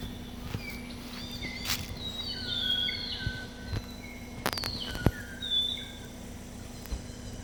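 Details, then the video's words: Wild birds calling at Butler Bay beach, Hut Bay: brief high whistled chirps and falling notes come in irregular bursts, with a few sharp clicks or taps and a constant low background hum. "Birds chirping"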